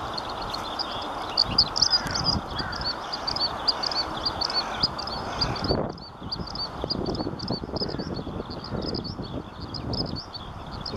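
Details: Eurasian skylark singing tirelessly high above rice fields, a thin, unbroken high twittering warble running throughout, over low rumbling handling noise and a wind-like hiss.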